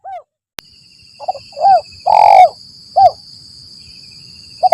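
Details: Spotted dove giving the lambung Kuk 1 Mersik lure call used for forest trapping: soft clipped notes, a short coo, a long burry coo and a short coo, fairly quiet, a click near the start and faint steady tones.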